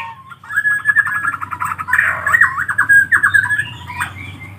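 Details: Collared kingfisher chicks begging in a buzzy, rattling stream of fast repeated rasps that rises and falls in loudness for several seconds, over a low background hum.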